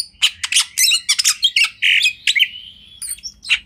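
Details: Kacer, the Oriental magpie-robin, singing a master song meant for tutoring other birds: dense bursts of harsh chattering notes, then a longer drawn-out whistled note before more quick chips.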